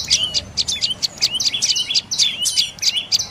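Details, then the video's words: Dark-necked tailorbird repeating crisp, high chirps, several per second, some with a quick downward slur, against faint low background sound. "เสียงนกกระจิบคอดำDark necked Tailorbird Sounds"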